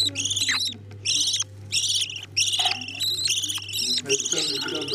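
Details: Budgerigar parents feeding their chicks: bursts of harsh, raspy, high chirps in quick irregular series, each burst about half a second, with a softer low murmur underneath.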